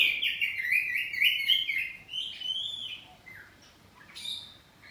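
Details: Oriental magpie-robin, a home-kept poci bird, in ngeplong answering song: a loud rapid run of bright chattering and whistled notes that fades into sparse, softer twitters.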